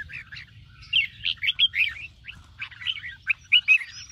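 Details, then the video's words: Red-whiskered bulbul kept for song training, singing at morning: rapid bursts of clear, warbling whistles and chirps about twice a second, with short pauses and a faint low hum behind. "chào mào hót sáng QUÁ HAY - CHÉ KÍCH BỔI CĂNG ĐÉT"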